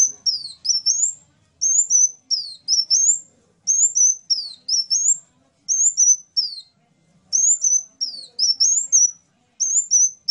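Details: Sunbird singing clear, very high whistled phrases, each a rising slur and a short level note, sometimes with a downward twist. The phrases come in pairs or triplets about every second against an otherwise quiet background.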